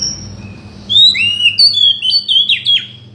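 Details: Oriental magpie-robin song, played to provoke a silent bird into singing: clear whistled notes sliding between about two and five kilohertz, a run of quick rising and falling phrases after a soft opening whistle, with a low steady hum behind.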